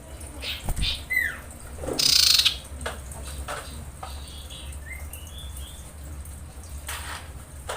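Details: Female common iora, in heat, calling males: a short harsh pulsed rattle amid thin downslurred whistles and chirps over a steady low hum.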